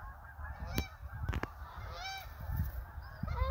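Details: A large flock of Canada geese, hundreds strong, giving loud nasal honks that overlap, some rising and falling in pitch, above a steady low rumble.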